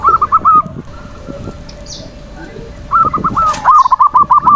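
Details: Zebra dove (perkutut) lure song to rouse quiet doves and rivals; a short burst of quick cooing notes, a near-silent pause, then a longer rapid cooing series with a brief wing flutter.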